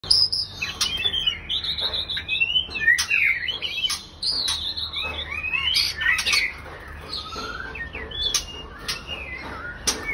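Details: Captive breeding pair of white-rumped shamas: rich, varied whistled phrases sliding up and down, mixed with sharp dry clicks and rattling snaps, loud and nearly continuous, with a faint low hum beneath.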